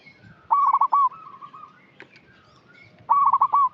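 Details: Local zebra dove calling steadily as a lure for untrained young birds: two loud, rolling, stuttered coo phrases separated by a quieter sustained tone, against a faint background.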